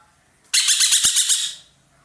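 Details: One strident, throbbing rasp of around nine quick pulses from an ekek keling roller, a loud-voiced cage bird popular in Indonesia as a master bird, with a single click midway.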